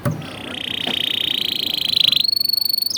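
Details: Canary training song. A continuous rolling buzz holds a steady pitch for about two seconds, then jumps to a higher, thinner rapid trill.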